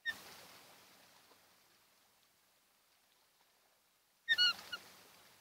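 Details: Osprey pair at their nest on Kent Island, Maryland, caught by a nest camera near dawn on 28 June 2018: after a quiet stretch with faint hiss, a short burst of several sharp, high, whistled chirps.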